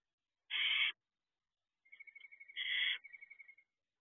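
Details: Young barn owls in a nest box at night giving two loud harsh screeching hisses, the second preceded and followed by a fast series of ticking clicks.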